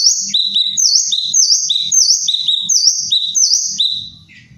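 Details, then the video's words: Kinoi, a tropical bird, giving a loud, harsh call: high two-part phrases, a slurred dipping note followed by a lower flat note, repeated in quick succession, fading at the end. "Suara cadas burung kinoi"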